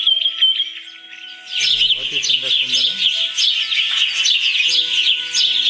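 Several birds chirp and twitter rapidly in a dense, high-pitched chorus, with a brief low voice murmuring underneath partway through.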